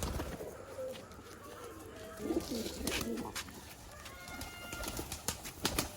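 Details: Excited male pigeons calling at feeding time with grit; a short, deep, wavering coo in the middle, surrounded by sharp pecking clicks and faint whistles of other birds.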